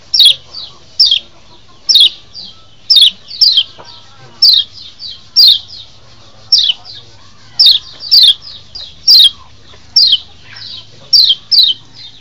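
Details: Lombok white-eye lure recording, played in the wild to stir breeding excitement and draw in wild birds for trapping. High, thin, sharply descending chirps come in quick clusters about once a second, over a faint low hum.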